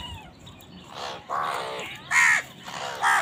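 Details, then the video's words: Squabbling over food, crows give a rapid run of four hoarse, nasal caws in about two seconds, the later ones louder and harsher, with faint chirping in the background. "কাকের ডাক Crows fight for food Crow Sound"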